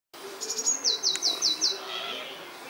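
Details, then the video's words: Unidentified songbird singing in a garden: a brief high introductory note, then a fast trill of about five sharp, identical downward-sweeping notes in under a second, over a quiet background. "(On)bekende zanger in mijn tuin"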